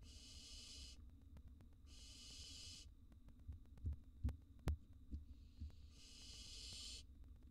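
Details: Three rasping, breathy hisses from wild barn owl young in a nest box being fed a gerbil and mouse, separated by a series of soft rhythmic thumps and a sharp click.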